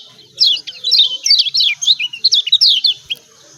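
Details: Lombok yellow white-eye call, played to provoke silent birds into singing: fast run of high, sharp descending chips in a continuous chattering burst lasting about three seconds.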